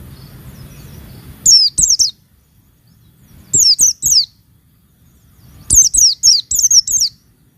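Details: Female Oriental white-eye call meant to excite and provoke males: high, thin, sharply falling chirps delivered in three short clusters of three to five notes, separated by pauses of about two seconds.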